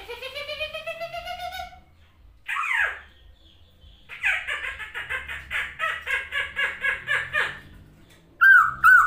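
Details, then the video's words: Masked laughingthrush singing energetically while spreading its wings: a drawn-out harmonic rising note opens, then a loud falling squawk, a rapid run of about twelve harsh, evenly repeated notes, and a brief clear whistled note to finish. "burung poksay hongkong gacor buka sayap"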